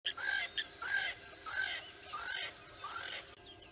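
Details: A blacksmith lapwing chick at Nkorho, 23 September 2022, attacks birds that came to drink, giving sharp, metallic clinking notes in quick bursts, about one and a half a second, against busy background bird chatter.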